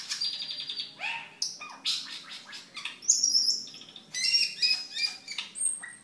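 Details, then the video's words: Caged cucak keling singing a lively, varied song for training other caged birds and luring wild ones: rapid high chirps, buzzy notes and sharp whistled slurs in quick bursts. "Suara Burung Cucak Keling Gacor untuk Masteran dan Pikatan"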